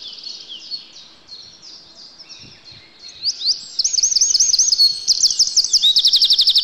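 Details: Eurasian wren spending the winter in a yard: soft, quieter high twitters build into a loud, rapid cascade of looping notes and end in a sharp, steady rattling trill.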